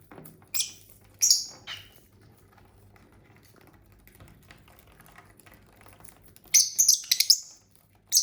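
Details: Domestic lovebirds chirp in a few sharp high bursts early on, then a quiet stretch of soft background rustling, before a rapid cluster of loud, shrill chirps near the end.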